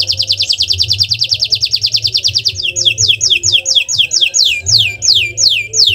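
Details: Domestic canary song for provoking others to sing: a quick even trill of high notes, then a chain of clear slurred down-swept whistles, each about half a second apart, with a soft low background hum.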